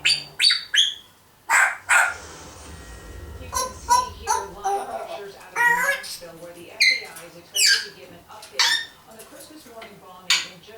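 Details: Indoors, a one-year-old female pet African grey parrot blabbers mimicked phrases like "wanna come with me" and "yoohoo anyone home": sharp squawks and chirps alternate with human-like syllables in rapid bursts about every half second to second.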